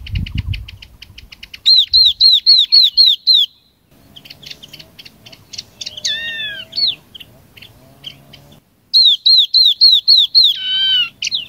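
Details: Chinese hwamei song played as a flock lure: fast repeated slurred whistles, a quieter stretch of chips and a descending warbled phrase, then another run of loud ringing downslurred notes ending in a twisting flourish.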